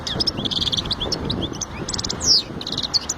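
European goldfinch singing a fast, high, tinkling twitter of liquid chirps and short buzzy trills, run together without pause over a faint low background rumble.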